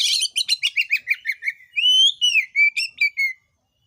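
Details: Oriental magpie-robin singing to provoke other birds of its kind into answering, kept-bird training recording; a rapid series of chattering notes slides downward, then loud clear whistled phrases rise and fall, ending in silence.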